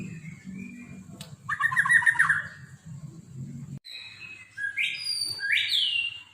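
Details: White-rumped shama song with unusual mimicked phrases: a low rumbling background, then a loud burst of rapid, stuttering mid-pitched notes, followed by clear, rising whistled phrases.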